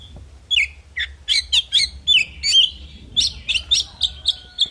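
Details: Oriental magpie-robin fighting song: a steady string of loud, sharp chirps and slurred whistles, each phrase cut short and repeated at a brisk pace, with a thin sustained tone faint in the background.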